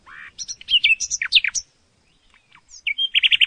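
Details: Varied nightingale song phrase: sliding whistles and sharp descending chirps in quick succession, a short silence, then a burst of rapid repeated notes.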